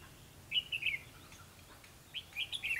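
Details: Red-whiskered bulbul fighting song at a trap, 21 December 2015; two short bright chirped phrases about one and a half seconds apart over low background hiss, with a short word spoken afterward.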